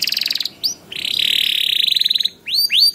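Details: Canary song in gacor style, meant to start other canaries singing: pulsed trill, a rising whistle, a long buzzy rolling trill, then several upslurred whistles.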